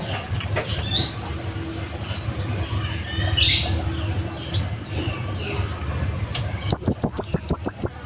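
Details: Scarlet-headed flowerpecker, kept as a master singer for caged birds, ending with a brisk series of about eight sharp, very high ticks after quieter scattered chirps and clicks.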